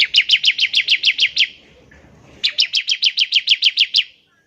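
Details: A bar-winged prinia in strong voice trills in ngebren style to set other prinias singing. It gives two fast runs of sharp, high, evenly spaced notes, about ten in each, with a short silent gap between.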